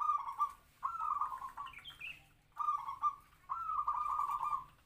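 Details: Zebra dove decoy bird of a local lure strain, medium-voiced, singing kwor kwor from a small open cage to draw in wild doves. Four short, trilled cooing phrases with brief pauses between, plus a faint higher chirp midway.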